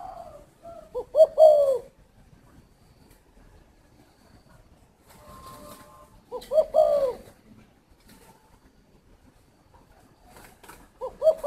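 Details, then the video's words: A spotted dove gives three separate coo phrases, each a quick rising note and a longer mellow downslurred hoot, spaced about five seconds apart in a quiet room. "chim cu thổ"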